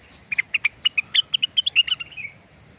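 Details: Cucak rengganis singing a quick string of bright, clipped chirps, about a dozen notes in under two seconds, ending in a short slurred warble, over steady low background noise.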